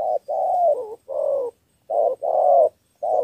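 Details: Cà Mau spotted dove, Vietnam, cooing in a three-note luring style. Low, husky notes run close together, with a short coo, a long drawn coo, then another short-long pair.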